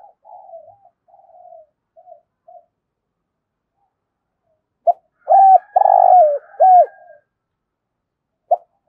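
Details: Spotted dove coo phrase, played to stir other birds: soft faint murmurs at first, then a loud cluster of low hooked coos around one longer sustained note, followed by silence.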